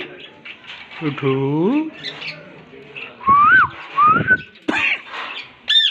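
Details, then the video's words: Green talking parrots give a rising, voice-like harmonic phrase, then short whistled upslurs and a quick high squeak near the end, with faint background murmur. "Talking Green Parrots / Bolna wala Toota"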